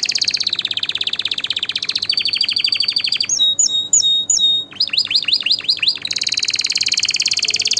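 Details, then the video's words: Canary sings a loud rolling trill that drops in pitch, then sharp separated whistles, a run of bright repeated slurred notes, and a final dense high trill. "تغريد طائر الكناري روعة لتسميع غناء كناري"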